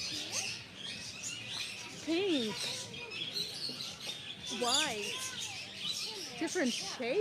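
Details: Parrots in an aviary on seaside Batumi Boulevard by the Black Sea, Georgia, give wavering, warbled calls that rise and fall in pitch, a few seconds apart, over a busy background of other birds and a person talking.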